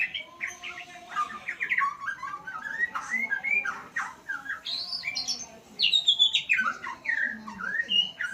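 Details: White-rumped shama learning new sounds from full tutor recordings: rapid, varied whistles and chattering notes, with a louder high descending phrase in the second half, and a faint steady hum.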